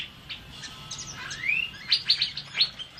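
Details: Asian fairy-bluebird singing actively as a training model: soft chatter, then a smooth rising whistled slur, followed by a run of four sharp, bright, evenly spaced notes.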